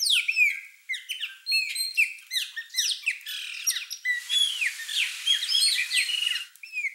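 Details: Many Chopi blackbirds (graúna) sing at a feeder. A dense chorus of rapid slurred whistles and harsh chattering notes grows busier and more overlapping toward the end before one clear note closes it.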